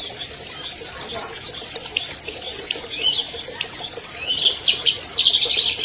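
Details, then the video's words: Albino long-tailed shrike, a 2020 champion, used to coax silent caged shrikes into singing: thin high notes, then three separate sharp whistled phrases that slur downward, ending in fast ticking chatter. "MASTER SUARA CENDET ALBINO JUARA 2020"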